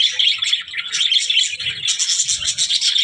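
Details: Budgerigar warbling steadily in high, buzzy chatter with bright whistled notes woven through, growing louder and harsher in the second half.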